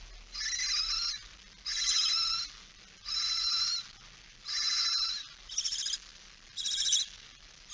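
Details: Female barn owl with a mouse, 17 September 2019, 06:11: a series of six rough hissing rasps, each under a second long, spaced roughly every second against a quiet background.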